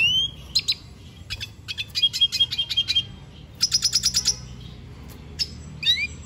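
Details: Song of the Venezuelan goldfinch: short bursts of quick repeated high notes forming brief trills, separated by pauses, ending in a pair of rising whistles.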